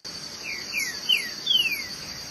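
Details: Green-winged saltator singing while mating: a few clear whistled notes sliding downward, getting longer and louder toward the end, over a steady high insect-like hiss.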